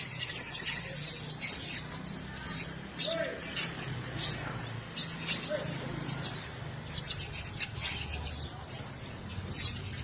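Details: Several caged Blue-crowned hanging parrots give a stream of shrill, high squeaky chirps, with a couple of faint lower murmurs in the background.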